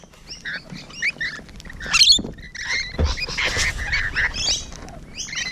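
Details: Rainbow lorikeets heard close up, morning of 12 June 2017: scattered raspy screeches and squeals from several birds, with some low thumping in the background.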